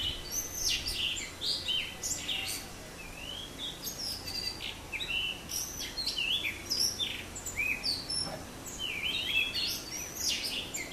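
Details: Blue rock thrush singing: a varied run of clear, high whistled phrases with rising and falling slurs, some short chirps mixed in, over steady low background noise.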